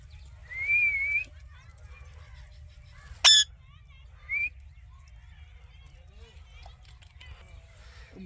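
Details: Green ringneck parakeet kept as a pet gives a smooth, slightly rising whistled note, then a sudden sharp screech and a short higher chirp about a second later, over a steady low hum.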